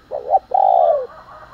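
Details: Morning calling and fight-provoking coo of a spotted dove: a short wavering note, a brief pause, then a longer smooth drawn-out coo that falls at the end. Little background sound.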